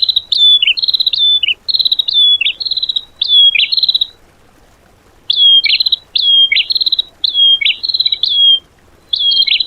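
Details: Tembakan-style isian song for training caged birds: rapid strings of high, trilled whistles. Each phrase drops to a lower buzzy note. Phrases run in two bursts separated by a pause of over a second.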